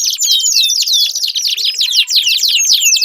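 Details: Canary song to stimulate a silent canary: dense warbling of high sweeping whistles and rapid trills, continuous, with faint lower chirps behind.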